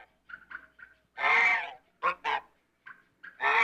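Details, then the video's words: African goose, a domestic swan goose breed, gives loud, harsh honks: one long blaring call, two quick ones and another long honk, with softer nasal clucks between them. "African Goose Calls"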